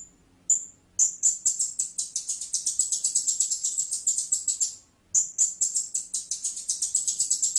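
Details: Blue-crowned hanging parrot giving long runs of rapid, shrill, very high squeaky notes, about four a second, broken by a short pause, then resuming at the same fast pace.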